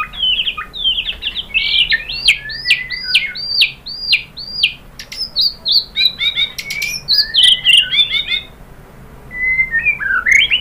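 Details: White-rumped shama song meant to stir other birds into singing: a long series of varied, looping high whistles and quick chattering phrases with brief gaps, plus a few sharp clicks.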